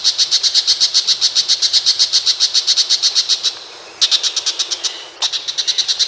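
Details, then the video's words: Long-tailed shrike (pentet macan) from Indonesia giving a sharp, harsh chattering song. High, scratchy notes are repeated about four times a second in rapid bursts, with two brief pauses. "Burung unik bersuara pedes !!! Pentet Macan."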